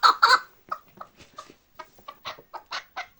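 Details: Chukar partridge from Bartang in the Pamirs: two loud, harsh chuck notes open the sequence, followed by a scattered string of softer, uneven clucks.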